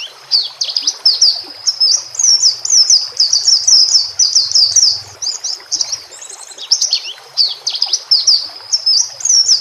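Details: A White-rumped shama sings on a training recording for captive birds. Its long, lively song is a dense mix of high sweeping whistles, quick chirps and short trills. Soft water and a low hum sit underneath.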